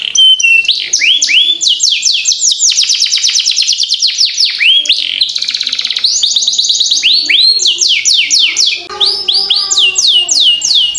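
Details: Canary in long rolling song for tutoring young birds: sequences of falling whistles, dense fast trills and buzzy rattles alternate for about eleven seconds without pause, high and loud.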